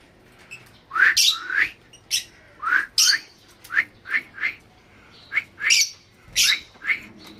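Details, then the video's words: Lovebirds give a quick run of shrill, squeaky chirps and harsh squawks, about a dozen notes in seven seconds at an uneven pace. "love birds"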